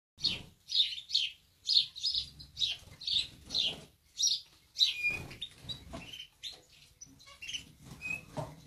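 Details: Several captive canaries in a flock taking their daily morning bath on a cold day, giving bright high chirps about every half second, with soft low rustling and splashing beneath them.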